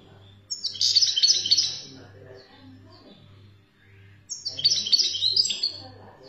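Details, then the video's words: Wild-type Algerian European goldfinch repeating a quick, jangling twitter phrase twice, roughly four seconds apart, with quiet gaps and a faint steady hum below. "تغريد الحسون 🇩🇿 الخلوي للخلوي"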